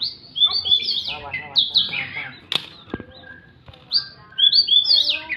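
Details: Oriental magpie-robin singing in full voice while fighting: rich, varied whistled phrases, sliding and warbling, with short bright notes, scratchy twitters and a few sharp clicks between bursts.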